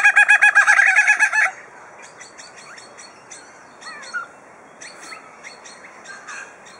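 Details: Superb lyrebird held at Adelaide Zoo, Australia, performing mimicry of drills, saws, hammers and other birds: a loud rapid mechanical-sounding trill for a second and a half, then a string of soft scattered clicks and short chirps.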